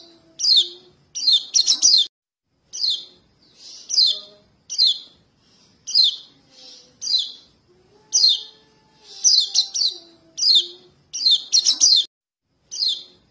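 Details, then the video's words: A young yellow-breasted white-eye calls for its parent, used as a trapping lure: high, thin chirps in short bursts, roughly one a second with uneven spacing, over a faint low hum. "Suara pancingan kecial kuning anakan memanggil indukan"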